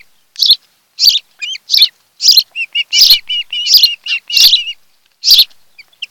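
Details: Ospreys at a Kent Island, Maryland nest, recorded by nest camera on the afternoon of 26 July 2018: strong piercing chirps interleaved with strings of softer whistled cheeps, roughly one to two calls per second.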